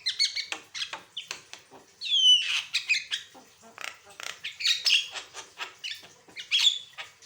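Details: Song of an Asian pied starling recorded as a master for training other birds and prompting them to sing: short harsh chips, a bright descending whistle and fast varied chatter.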